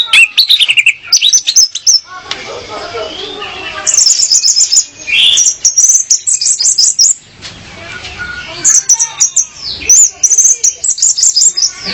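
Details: Female orange-headed thrush song meant to attract a male, played for tutoring: bursts of very high, fast chattering notes alternating with softer, scratchy warbling passages, loud and continuous.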